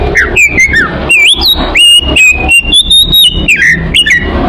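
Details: Oriental magpie-robin (kacer) lure song, played to attract birds: loud clear whistles, some sliding and rising, others held level, in quick bursts over a dense low hum and rumble.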